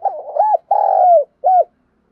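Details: Calling spotted dove of the Đồng Nai type, Vietnam, recorded for luring birds: a rolling double coo, then a long drawn-out hoarse coo drifting downward, and a brief final coo, all low and mellow against silence.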